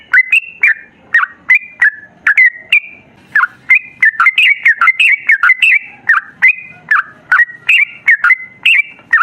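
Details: Long 'ropel' song of a sooty-headed bulbul used as training song: a continuous run of clear, slurred whistles, some rising and some falling, packed about two per second, with one brief dip partway through and an otherwise clean background.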